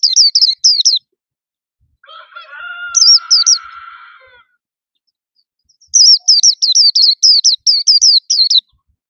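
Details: A caged white-eye sings loud and bright with many syllables: high, quick, wavering notes in bursts, a lower droning harmonic call in between, then a long run of rapid repeated chirps.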